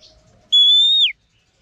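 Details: Female Oriental magpie-robin used for training males gives one clean, sustained whistle lasting about half a second that curls downward at the end.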